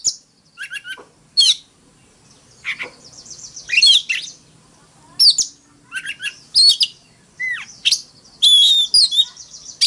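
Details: Oriental magpie-robin in fighting song, with scattered sharp chirps, short downslurred whistles and rapid twittering bursts spaced by gaps, over a faint steady background tone.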